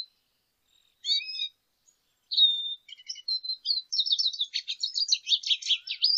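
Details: Lesser goldfinch singing: a few soft high notes, then a long rambling run of fast twittering, buzzy and whistled elements that grows louder and denser toward the end.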